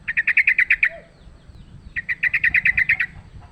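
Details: Two fast rattling trills from a wild sooty-headed bulbul in a fight, recorded for luring; a second-long gap separates the rapid, evenly spaced notes.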